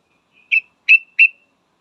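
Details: Female yellow-vented bulbul calling to a male: three short, clear whistled notes in quick succession, each slightly falling, with silence around them.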